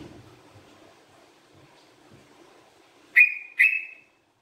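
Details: Two strong whistled notes from a sooty-headed bulbul in full voice, each starting sharply and fading downward, coming after a stretch of near silence with faint background murmur.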